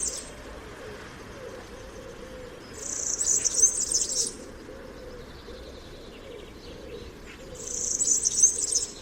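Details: European Serin (Serinus serinus) giving its typical, diagnostic song: two rushed, high, jingling bursts of tightly packed notes, each about a second and a half long, over a steady low background hum.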